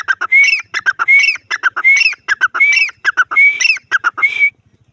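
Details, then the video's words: Grey francolin in a loud, steady calling bout: rising whistled notes alternate with rapid harsh chattering syllables, with the phrase repeated about six times over five seconds and no other clear sounds. "Dakhni teetar ki awaz"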